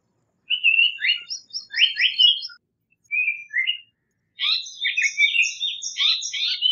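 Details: Japanese paradise flycatcher with a busy, overlapping mix of rising whistles, high thin chips and a long, rapid jumble of twittering notes, almost without pause.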